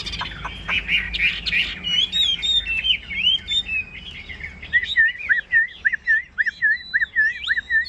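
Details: Chinese hwamei kept as a cage bird gives jumbled bright warbles, then settles into a regular series of short, dipping whistles, about two a second.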